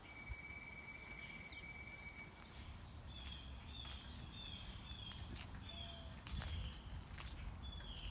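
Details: Mockingbird singing during a morning walk, running through its repertoire: a long flat whistle, then a series of short repeated chirps and whistles, with footsteps, rustling and steady low rumble.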